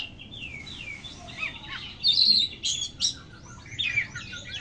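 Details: Kacer, or oriental magpie-robin, giving scattered song phrases: soft whistled slurs early, then louder sharp high notes and short chirpy bursts separated by brief gaps.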